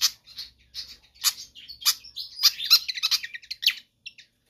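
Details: Pied fantail singing persistently for use as a tutor or lure track: bright chirping phrases quickening into a dense twittering run, then trailing off into a few soft notes before silence.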